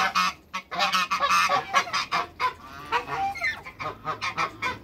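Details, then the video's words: Loud, grating honks from a trio of African geese (two ganders, one goose) kept in a backyard, calls coming almost continuously and overlapping. "TWO MALE ONE FEMALE AFRICAN GEESE AFTER THE CREATE WATERBIRDS IN THE BACKYARD"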